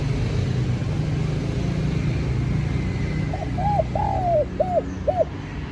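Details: Calling to attract wild birds, a spotted dove gives a single phrase near the end: brief note, rounded coo, long descending coo, two short coos. Earlier seconds hold only low rumbling noise.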